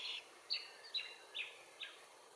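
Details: Glossy Black-Cockatoos, subspecies lathami, feeding on Allocasuarina verticillata seeds in Capertee Valley; a series of five short, rasping call notes spaced about half a second apart, with faint hiss behind.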